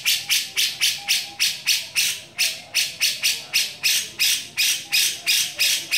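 A grey-cheeked bulbul gives harsh, rasping bursts about three times a second in a steady, driving series. No other sounds are heard.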